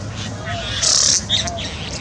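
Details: Satin bowerbird at a bower, where an immature male was decorating and the mature owner returned to reclaim it, gives a harsh, hissing burst under half a second, then a short high whistle, with faint lower tones and soft hum.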